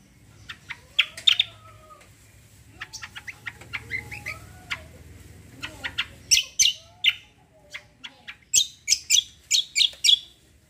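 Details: Cucak singing a combo-style song with rolls and 'tembak' bursts: scattered sharp chirps and short falling whistles, then a run of loud, rapid, buzzy high notes in the second half, with a faint low hum beneath.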